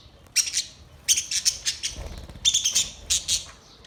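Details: Budgerigar chatter recorded 22 May 2023: very high, rapid clicking trills in three bursts of fast ticking notes, with quiet gaps between.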